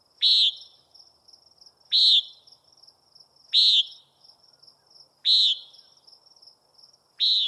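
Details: Common nighthawk calling: a nasal, buzzy single note repeated about every one and a half seconds, five calls in all, over a steady thin high whine in the background.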